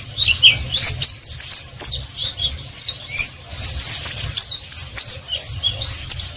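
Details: Pleci, the Oriental white-eye, chattering its ngeriwik song: dense, very high twittering with fast up-and-down slurred notes and sharp ticks, pouring out in near-unbroken bursts over a soft background hum.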